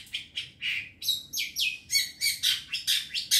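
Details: Lure recording of a young wild long-tailed shrike: a steady run of harsh, rasping notes, roughly three per second, growing louder and buzzier toward the end, with a faint low hum behind.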